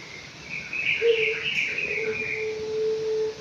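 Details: Five-month-old anggungan bird kept in an aviary, giving a long, steady, low whistled tone held for about two seconds, with a fainter higher rustling band above it.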